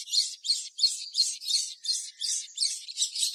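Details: Sogon song used as a lure for other sogon. Buzzy, high phrases repeat in an even rhythm, about three per second, without pause.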